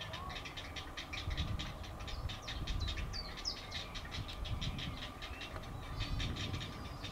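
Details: Young great blue heron chicks struggling to eat a crawfish their mother brought up for them, field camera recording: dense chattering bursts of clicks, fast and regular, with a few whistled slurs and low rumbling noise.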